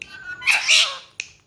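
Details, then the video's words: A pet rose-ringed parakeet, spoken to by its owner in Hindi/Urdu to make it talk, gives a harsh, high, raspy half-second utterance followed by a brief sharp click in a quiet room. "Talking parrot"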